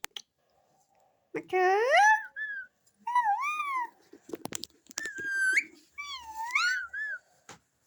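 A parrot speaks in four short, voice-like phrases with swooping rising and falling pitch, separated by brief pauses and a few clicks.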